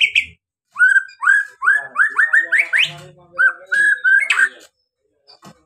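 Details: Song of a white-rumped shama, played to prompt other birds to sing: a series of clear whistled notes rising step by step, followed by level whistles and a sharp upward sweep, with a faint lower buzz.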